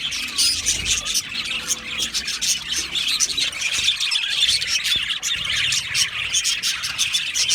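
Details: Many budgerigars in a breeding aviary colony chatter during mating: rapid squeaky chirps and scratchy warbles run on without a break, a few louder squawks poking through.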